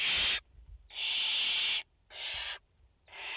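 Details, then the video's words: Barn owls, a mother and four chicks at their nest in France, 30 August 2021: harsh broadband screeching hisses, one long and several shorter, separated by short silences. "Chouettes effraies en direct - Płomykówki - Mama i 4 pisklęta"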